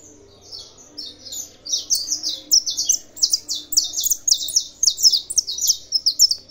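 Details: Singing captive saffron finch urged on by tournament recordings: after a quiet start, a dense run of high, buzzy, tumbling chirps builds and keeps going for several seconds.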